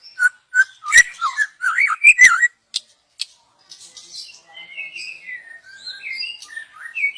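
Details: Wild young white-rumped shama, its song used as a lure, gives a burst of varied, looping whistles and sharp clicks, then quieter, higher warbling phrases after a brief pause.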